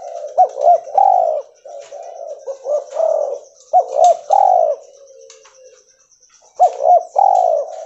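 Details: Spotted dove, cotton-white albino mutation, calling: several phrases of two quick hooked notes and a longer mellow coo, a quieter pause, then another phrase, over a steady faint high whine.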